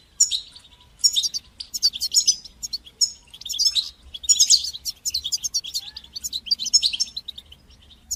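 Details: Goldfinch singing batbata and sastasa phrases meant to encourage and train young goldfinches: dense, fast twitters and liquid chirps in clustered bursts about every second, high and sparkling throughout.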